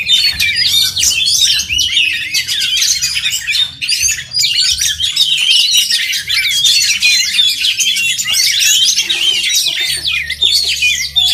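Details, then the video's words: Oriental magpie-robins at a singing contest deliver a long, unbroken torrent of high whistles, chatters and quick trills from several overlapping birds, briefly easing around four seconds. "LOMBA KICAU MANIA BURUNG KACER"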